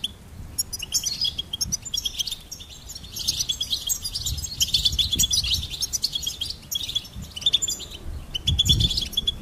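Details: Goldfinch song played for bird stimulation: dense, high twittering and chirping phrases that run almost continuously, with bright trills and short buzzy notes, over a low background rumble and occasional soft thumps.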